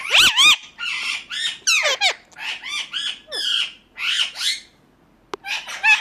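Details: Indian ringneck parakeet calling naturally: a string of loud, harsh, shrill squawks with rising and falling slurs, given in irregular bursts with short pauses and a sharp click near the end.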